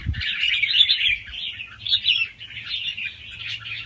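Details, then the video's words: Young wild red-whiskered bulbul singing fast rounds with soft head phrases and a doubled trick, meant to rouse listening birds; dense, continuous chattering warble of quick twittering notes, with a brief low thump at the start. "ลูกนกกรงหัวจุกป่าคัดหัวปากเบาๆ รอบเร็ว มีลักเบิ้ล ใว้เปิดกระตุ้นนกฟังนกคึก"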